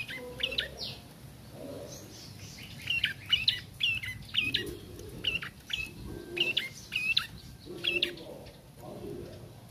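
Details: Young bar-winged prinia learning to sing, producing a quiet, steady series of short, sharp chirps and squeaky slurred notes in loose clusters, with faint low background rumble.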